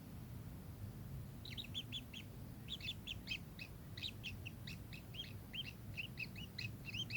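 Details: A kingfisher gives bursts of sharp, stacked chirps that start after a brief pause and then run in dense, irregular series over a low background rumble.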